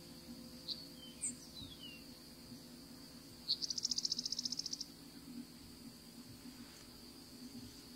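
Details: A Savannah sparrow wintering in Florida, perched still, gives a few thin, high chips and then a dry, buzzy trill of about a second, over a steady high insect drone and a low hum.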